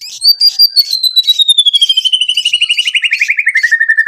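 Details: White-rumped shama song played as a lure to make other shamas sing and show their repertoire: a long whistle sliding steadily downward that breaks into a fast, pulsing trill.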